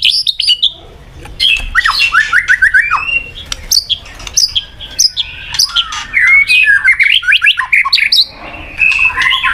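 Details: White-rumped shama (murai batu) lure song meant to make a listless bird more combative: rich run of rapid whistled and slurred notes, rising and falling, delivered in dense bursts with brief pauses.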